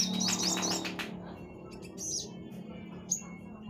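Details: Orange-headed thrush song meant for testing other birds: quick warbled phrases at the start, then scattered high whistled notes, with a low hum throughout.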